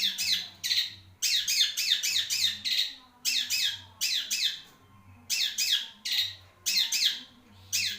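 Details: Loud, harsh chattering from a long-tailed shrike, delivered in tight clusters of three to four grating notes separated by brief silences.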